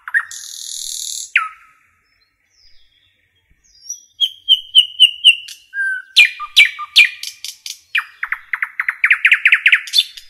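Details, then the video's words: In forest, a common nightingale sings a varied phrase: harsh buzzy opening, pause, quiet high ticks, repeated whistled notes, rich low chook phrases and a fast rising rattle of repeated notes at the end. "Nightingale song"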